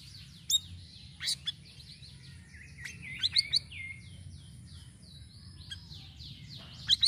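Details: Sirisiri song variations used as a bird lure: a continuous stream of high, quick downslurred whistles and twitters, broken by sharp chips, over faint background hum.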